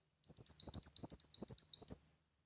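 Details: Brown-throated sunbird song, a lure recording for drawing in birds: a continuous fast stream of about a dozen high, bright, upward-swept chirps over nearly two seconds, with soft low taps underneath.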